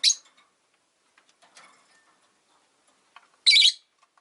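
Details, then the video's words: Indoor cage of five rosy-faced lovebirds near a window, winter: one sharp chirp at the start, faint ticking and rustling sounds in between, then a loud rasping burst of chirps near the end. "冬とか関係なく良く鳴く子【Lovebird Chirping Sounds"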